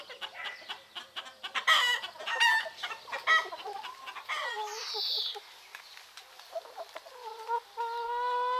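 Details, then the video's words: Chickens and turkeys on a Greek farm in the morning, roosters crowing: a busy run of quick clucks and cackles, a brief high chirp midway, then a sustained rising tonal call at the end. "Roosters crowing in the morning"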